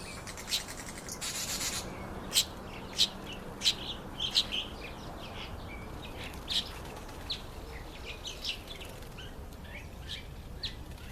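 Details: Masked weaver in breeding season, September to October, giving short sharp high chirps at irregular intervals, roughly one or two a second, over a steady soft background hiss.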